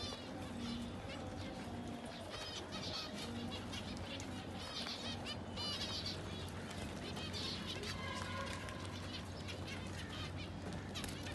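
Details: Common zebra finches calling, a flock giving many short nasal harmonic notes overlapping, with wing flapping and a steady low hum throughout.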